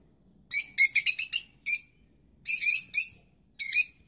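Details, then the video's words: Young rosy-faced lovebirds and their incubating parents give loud, piercing, buzzy chirps, first a rapid chattering cluster, then single and paired shrill squawks spaced by brief pauses. "Canto pappagalli inseparabili giovani e cova dei genitori"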